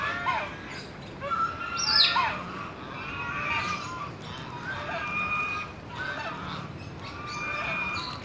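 A sulphur-crested cockatoo gives harsh, raspy screeches in bursts every second or two, with one thin, falling whistle mixed in.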